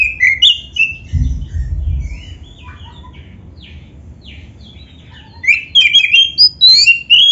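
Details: Black-breasted oriental magpie-robin song played as a lure for other magpie-robins: bright whistled phrases open the recording, then a quiet stretch of scattered faint chirps, then a dense burst of sharp rising and falling whistles.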